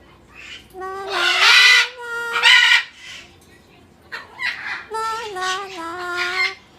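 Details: Talking umbrella cockatoo at a pet store greeting a regular visitor; two groups of strained, nasal, word-like calls with rising and falling inflection, separated by a short pause.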